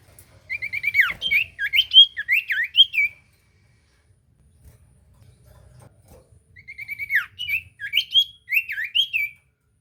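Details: Common iora song meant to trigger a silent bird, two bursts of lively swooping whistled phrases separated by several seconds of near silence.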